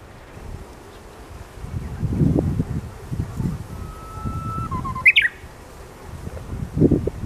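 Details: In Hirakata, Osaka, at about 12:40 on 29 March, a lively Japanese bush warbler gives a level drawn-out whistle, a few short lower notes, then an abrupt high twisting ending; steady low wind noise and faint background rumble throughout.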